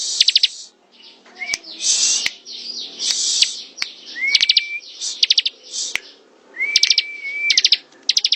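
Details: Bar-winged prinia in ngebren song: short clusters of quick high chips, brief rising whistles and harsh hissing bursts, with a faint background hum throughout.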